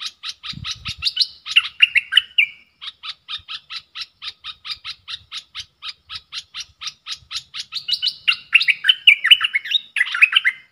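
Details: Caged bulbul in a singing duel with wild birds, recorded 3 October 2021: long series of short, sharp chirps repeated about three per second, broken by warbled, tumbling phrases near the start and end.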